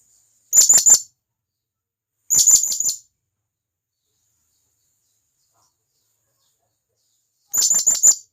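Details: Wild blue-crowned hanging parrot calling to others of its kind: three short volleys of three to five rapid, thin, very high chips separated by long quiet gaps.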